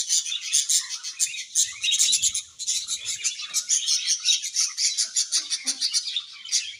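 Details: Cheerful budgerigar colony chattering, many high squeaky chirps and warbled phrases overlapping into a dense, lively chorus with a short dip near two and a half seconds.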